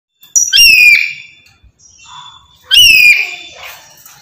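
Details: Black-capped lory screaming nonstop: two loud, harsh, harmonic-rich screeches about two seconds apart, each sliding slightly downward, with quieter rasping notes between them.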